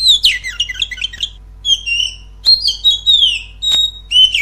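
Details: Oriental magpie-robin song played as a lure to make a kept bird sing more loudly: loud, varied bursts of whistled and scratchy notes, sliding up and down, in phrases broken by short pauses, with a steady low hum beneath.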